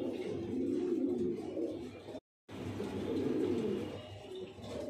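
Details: Steady chorus of deep, burbling coos from kept Lahore pigeons, the low murmuring rising and falling without pause, briefly cut by a moment of silence midway.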